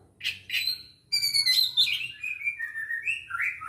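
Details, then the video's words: Aceh-type Oriental magpie-robin, 24 December 2022. Two short chirps and a brief pause lead into a rich, varied song of high, ringing notes. It moves into slurred whistles that glide downward, then ends on a rising note. "Burung Kacer Aceh"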